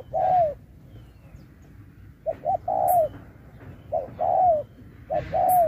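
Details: Spotted dove in a singing match gives 'Thúc kèm Bo' style phrases: a long falling coo, then pairs of short notes each leading into a smooth, drawn-out coo that slides down at its end.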